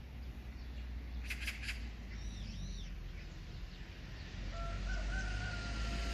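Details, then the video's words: Magpie giving a short burst of three harsh, rattling chatter notes, with thin whistled notes of another bird and a steady low rumble behind. "까치~ The magpie's calling!"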